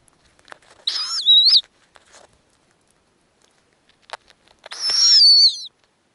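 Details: Two piercing, wobbling whistled squeals several seconds apart, each under a second long, come from an Arctic snowy owl nest holding four nestlings and a hatching fifth egg, with faint ticking between them.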